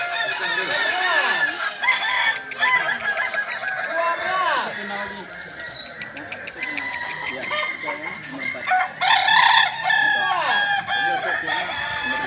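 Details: Dense chorus of Kokok balenggek roosters crowing together at a training contest final in Sawahlunto, 16 July 2023; long staggered crows with downward-bending notes follow one another continuously, some louder bursts near the end.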